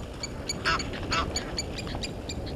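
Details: Two raspy honks from Egyptian geese in a dispute with intruder geese at Gowrie dam, Djuma Game Reserve, South Africa, late afternoon 17:08 on 10/04/21, with fainter clipped calls around them.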